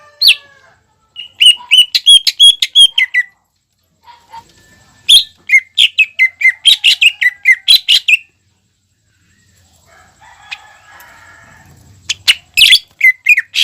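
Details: Greater green leafbird singing briskly, meant to excite young birds into song: fast series of bright chirped and whistled notes in two long bursts, separated by quiet gaps with faint low rustling, then a final loud burst.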